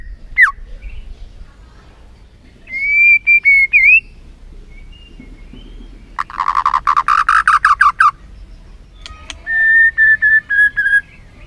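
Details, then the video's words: White-rumped shama lure song for making a lazy shama sing: a falling whistle, a wavering whistled phrase, then a harsh buzzy rattle of rapid pulses, and finally a steady series of short clear whistled notes. "PANCINGAN MURAI BATU BONGKAR ISIAN GACOR, MURAI BATU MALAS NAIK EMOSI LANGSUNG BUNYI GACOR."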